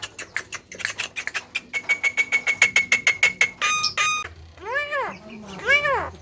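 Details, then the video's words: Clever talking Javan myna fires off a fast rattling series of sharp clicks with a thin whistle running through it, then buzzy ringing notes and two drawn-out arched, meow-like wails. "BURUNG JALAK KEBO BISA BICARA SANGAT BAGUS DAN PINTAR"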